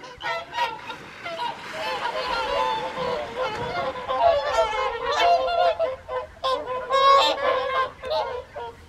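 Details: A flock of whooper swans at an evening feed on the Folly Pond, WWT Caerlaverock, January 2023, calling together in a dense chorus of loud, bugling honks overlapping without pause, rising and falling in waves.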